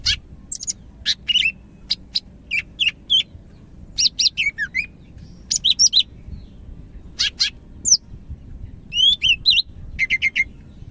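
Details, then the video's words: Medan greater green leafbird in energetic song, pouring out rapid high chirps, flicked notes and short slurred whistles in a dense, continuous stream over eleven seconds, with a soft low rumble behind. "SUARA BURUNG CAK IJO MEDAN GACOR"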